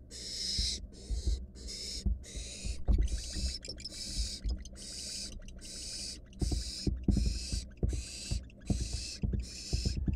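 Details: Barn owl nestling, wild, in a research nest box under camera, swallowing a rat: rapid run of harsh breathy hisses, about one per second, mixed with thumps, scratches and rustling from movement in the box.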